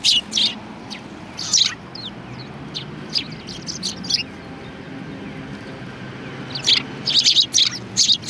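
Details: Sparrows at a Tenmangu shrine in Japan, February 2020, produce loud chirp bursts at the start and end, with softer scattered notes in between.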